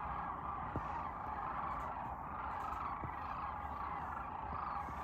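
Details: Crane flock in Nebraska during spring migration: a continuous mass of overlapping rolling calls from many birds at a distance, with a heavy low-frequency rumble underneath and a few brief clicks.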